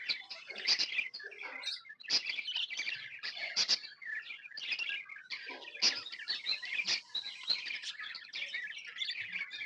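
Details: Pet budgerigars described as happy, chirping steadily: rapid high twittering and scratchy warbles pile up without pause, several birds overlapping in constant lively chatter.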